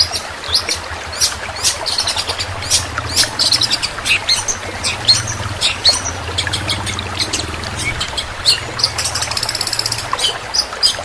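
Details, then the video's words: Long-tailed shrike delivering a 'tembakan' song with long rolls, a steady stream of rapid, high, clicking chirps and short sharp notes at a busy, almost continuous pace over a low background hum. "Tembakan burung cendet super speed dan roll panjang"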